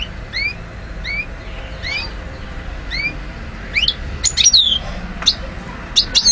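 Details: In Algeria in 2012, a parva goldfinch gives a measured series of rising upslurred notes, roughly one per second, then breaks into quicker, sharper twittered phrases with high sliding whistles over soft background hiss.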